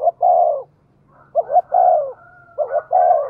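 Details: Decoy spotted dove cooing rapidly to bring in wild birds: three closely spaced phrases, each two short rising hoots and a long mellow falling coo, with a faint thin high tone between the last two.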